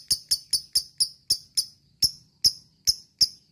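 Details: Lovebird chatter meant to rouse other lovebirds to sing: crisp high ticks, quick at first, then slowing to spaced single notes.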